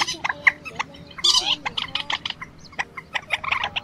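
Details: Quốc biển and Trích ré, old and young birds, calling to lure migrants into night nets, March 2024: rough squawks and a loud grating burst, followed by quick clipped chattering notes.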